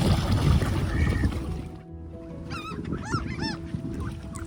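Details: Ducks fed by hand beside Tveitevannet, Bergen, Norway, on a windy June day: after a gusty opening and brief lull, a quick run of three or four loud, wavering arched calls follows, with wind continuing underneath.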